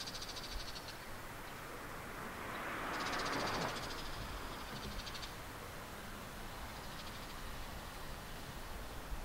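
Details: Male Bull-headed Shrikes exchanging calls in early July 2014 in Japan, perched on an antenna and a treetop in an apparent territorial dispute; several rough, buzzy chattering bursts separated by short pauses, with low rumbling noise behind.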